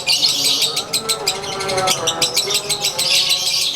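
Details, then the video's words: A konslet-type lovebird, caged and set out in the sun, gives its everyday ngekek as quick rasping chirps in close succession, strong and high, over a faint humming background. "SANGAT JELAS!! Durasi Volume Gaya Suara ASLI Harian LB WISANGGENI"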